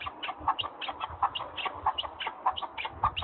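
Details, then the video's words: Partridges in the mountains; a steady run of short clucking notes repeated about every third of a second, fairly loud over a soft rustling background. "Listen to the sound of partridges and wild birds in the mountains"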